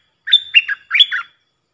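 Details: Puff-throated bulbul call played as a decoy for training young birds: one short, loud phrase of bubbly, slurred notes, rising then dropping, delivered in two quick clusters with no other sounds.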